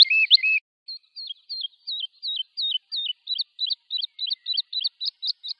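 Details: Woodlark song: a brief buzzy opening phrase, then a series of short, sharply inflected whistled notes, roughly three per second, each dipping and rising around the same pitch, clean background.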